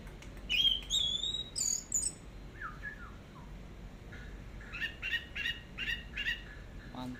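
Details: Anis merah (orange-headed thrush) delivering teler-style song on a long tutor track: a rising high whistle, a few lower slurred notes, then a steady run of repeated buzzy chirps.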